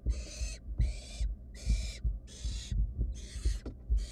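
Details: Wild barn owl chicks inside a monitored nest box keep looking for a mouse a sibling swallowed; loud rasping hisses, each about half a second, in steady rhythm, with strong low thuds of movement.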